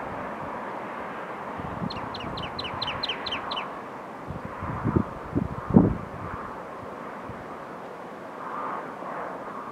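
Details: A western rock nuthatch behaving aggressively gives a brief run of about seven sharp, downslurred notes, roughly four a second. Low thumps and steady background rumble follow.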